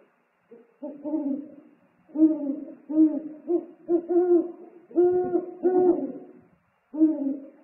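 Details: A steady string of loud, deep hoots, roughly one per second with rich overtones, from eagle-owls at their nest on 3 March 2019 as the male brings prey and the pair call back and forth.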